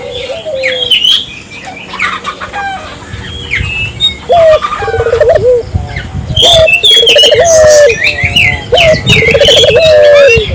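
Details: Barbary dove singing energetically: rolling, wavering low coos begin about halfway through and then repeat in quick runs. High chirps and twitters from other small birds sound throughout, with a steady high hiss.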